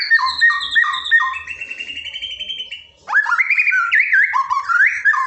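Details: Murai batu filler song for training a reluctant singer: a run of quick stepped whistles, then a long slowly rising whistle, a brief pause, and a varied warbling phrase of looping whistled notes.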